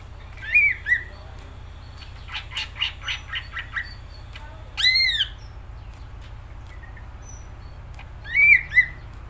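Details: Greater green leafbird in spirited song: scattered slurred whistles are separated by a run of dry, rapid clicking. A loud, arched, harsh note sounds midway, and a final pair of bright whistles comes near the end.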